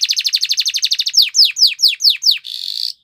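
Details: Canary singing a training song: a rapid train of short chip notes, then five sweeping downslurred whistles about a quarter second apart, ending in a sustained buzzy trill that cuts off abruptly.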